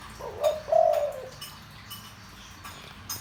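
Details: Spotted dove, deep voice, calling to rouse decoy birds; one quick coo phrase, a short note and a longer, level note, followed by nearly three seconds of faint background noise and clicks.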